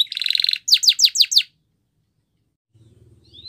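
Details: A canary sings a Spanish Timbrado training song: a dense, buzzy trill, then five quick descending whistled notes, followed by a low hum and faint rustling.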